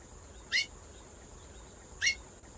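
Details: Two brief upslurred chip notes from a female chestnut-bellied seed finch, spaced about one and a half seconds apart, each with a clicky attack, against soft background hiss and a continuous high whine.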